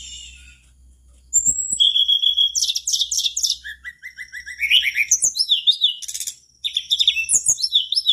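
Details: Energetic song of a mangrove blue flycatcher, used to get other flycatchers singing; rapid descending trills, buzzy chattering phrases and thin high whistles, delivered in fast runs after a quiet start.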